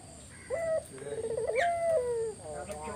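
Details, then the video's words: Spotted dove song used as a lure to draw answers from other doves: a short coo, then a rapid trilled, wavering coo around mid-pitch and a long drawn, slightly falling note, with faint chirps of other birds. "Burung puter mana yang ga ikut nyaut kalo dengar GACORAN puter ini"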